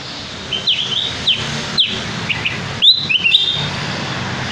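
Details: Sooty-headed bulbul lure recording, meant to draw birds and prompt them to sing their full repertoire: short, sharp, high chirps and quick up-slurred notes, scattered irregularly over a steady background hiss.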